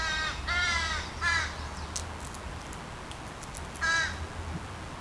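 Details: A crow far in the background, recorded near the recordist's home, gives three harsh, nasal caws, then a fourth after a pause; faint high clicks and a low hum underneath, possibly a crow imitating a woodpecker in the foreground.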